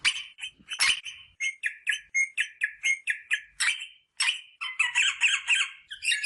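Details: Rosella parrot song played to stimulate mating, a quick run of sharp, squawky chirping notes, about two or three each second, with a brief pause before a denser, harsher chattering burst at the end.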